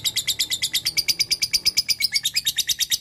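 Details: Lovebird giving a long ngekek chatter, calling a rival and used as a lure: a fast, steady train of harsh, high chirps, about six notes a second, with no pause through the whole stretch.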